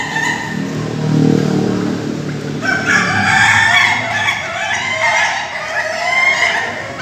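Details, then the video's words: Ayam Ketawa roosters at a group training session in Bogor, Indonesia: a low murmur gives way to a loud, choppy crow of repeated harmonic syllables, continuing with other roosters' calls in the background. "latber ayam ketawa"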